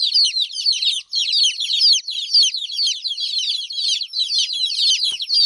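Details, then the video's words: Chicks of a hen cry because their mother is not around; many loud, shrill, downward-slurred peeps pour out in a steady overlapping stream, about two per second, with one brief pause. "Witty Hen baby " Chicks chirping ""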